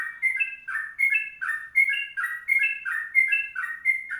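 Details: Sooty-headed bulbul singing 'kongslet panjang': crisp, ringing two-part whistles, stepping up then down, repeated in a quick, bouncy rhythm.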